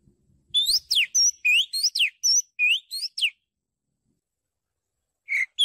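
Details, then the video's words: Oriental magpie-robin singing, recorded in Thailand for luring birds: a fast series of about ten loud whistles alternating rising and steeply falling slurs, a long pause, then a final lower note; faint low rustling at the start. "นกกางเขนบ้าน นกบินหลา | เสียงนกกางเขนบ้าน"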